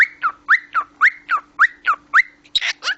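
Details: Pet cockatiel described as talking: eight quick whistled notes, each sliding up then down, repeated about every quarter second, then two harsh raspy notes to close, over a steady low hum.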